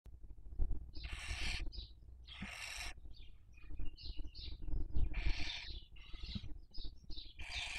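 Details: Barn owls at a nest during the 2023 breeding season in Cabañeros National Park, Castilla-La Mancha, Spain, recorded by webcam: long broad rasping hisses alternate with short, higher wheezy chirps, several overlapping, with low background rumble.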